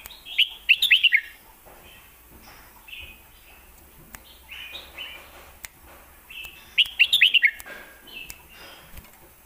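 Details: Caged red-whiskered bulbul from Thailand singing in the southern lak wai and mae bot styles. A loud, cheerful phrase of quick rising and falling whistles is given twice about six seconds apart, with softer warbles in between.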